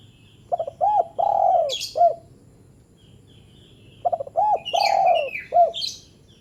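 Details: Short call of a spotted dove, meant to prompt lazy doves to call: two cooing phrases, each opening with stuttered notes before a drawn-out descending coo and a clipped closing note, with brief high chirping above.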